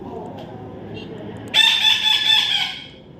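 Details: Baby parrot being tamed, bursting after quiet background into a loud harsh rasping screech held for over a second, with rough pulsing bands fading out.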